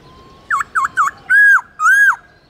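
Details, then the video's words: A captive laughingthrush sings, recording used to stimulate other laughingthrushes to sing: three quick dipping whistles, then two longer, arched, rich whistled notes, loud and clear against faint background hiss. "chim khướu"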